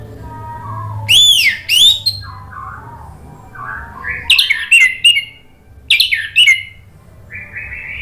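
Orange-headed thrush singing loud, rich whistled phrases with quick slurred notes and squeaky trills, in bursts about every second or two over a faint low hum.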